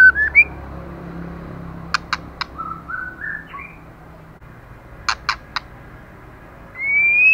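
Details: Female white-rumped shama, moulting and singing intensely: brief whistles, sets of three sharp tack clicks separated by soft low warbles, and a rising pure whistle at the close over steady background hum.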